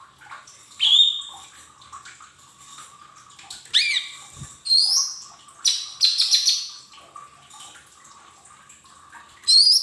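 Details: Lesser green leafbird recording used to get untrained caged birds singing: scattered bright whistled notes, some sharply rising, plus a few buzzy chattering phrases, separated by quiet gaps, one low thud and a faint constant hum.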